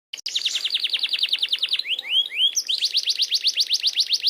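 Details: Canary singing a long rolling (ngerol) song: a fast trill of sharp downswept notes, two upward-sliding whistles, then another rapid rolling run of high notes, with a faint steady hum behind.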